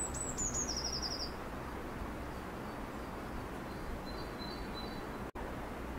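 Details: A Eurasian blue tit sings, heard year-round typically early in the morning, common in gardens: two or three very high, thin notes sliding down into a quick, slightly lower trill, then fainter high notes over steady hiss.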